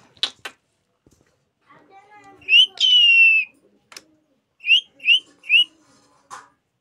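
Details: Pet parrot at home uttering a raspy call and a sustained high whistle, then three short, rising chirps in quick succession, with clicks and a person's low voice in Hindi in between.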